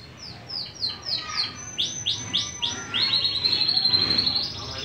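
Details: {'caption': 'Irani canary song in tours: about eight high, downward-sweeping notes in steady succession, then a quick, even trill held near the top of its range.'}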